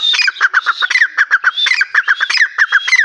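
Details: Grey francolin calling loudly at close range: a rapid, steady stream of short, harsh, ringing notes, several per second, broken by higher, slurred whistled notes, with no pause throughout.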